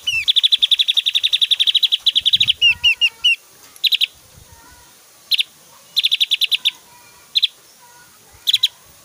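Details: Javan grey-throated white-eye, singing actively, with varied whistles and very loud, long rapid bursts. A fast chattering trill of about thirty notes opens, then looping whistles and short staccato bursts repeat between pauses.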